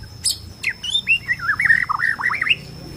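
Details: Bornean white-rumped shama song used to provoke shamas into singing and fighting: a sharp high note, then a fast sequence of looping, warbled whistles rising and falling, over a faint steady hum.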